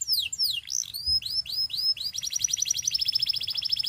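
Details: Russian canary singing: a run of fast descending whistled sweeps, then a rapid rattling trill of short repeated notes roughly ten per second, bright and high-pitched, with no other sounds.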